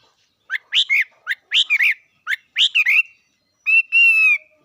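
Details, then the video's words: Bird singing: three phrases, each made of a short rising note and then a warbled, slurred double note, spaced about a second apart. The song ends with a longer, clear, ringing whistle that holds a steady pitch. "Coob quaj zoo heev li."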